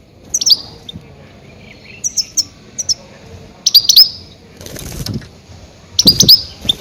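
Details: Goldfinch lure calls used in catching grey-headed goldfinches: scattered bright, high twitters in short clusters, with two bursts of broadband fluttering, wing-like noise between them.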